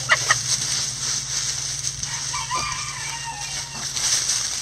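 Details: Backyard coop chickens scratching down a pile of leaves; a few soft, short rising and falling clucks over constant broadband leaf rustling and scratching, with a steady low hum underneath.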